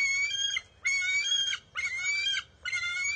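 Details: Wild bald eagle nest, June 23, 2021: the eaglet fights its mother for a fish and takes it back. Four long, loud, strained squeals, each about half a second, with brief gaps between them.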